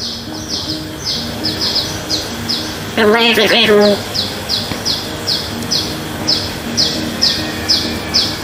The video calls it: myna bird talking